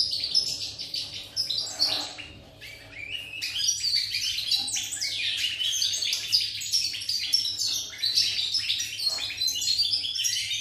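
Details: European goldfinch, described as a pied goldfinch, recorded 8 November 2019, delivering a long, fast twittering song of tinkling, buzzy and liquid notes, many rising and falling sharply, with hardly a pause; a faint low hum sits underneath.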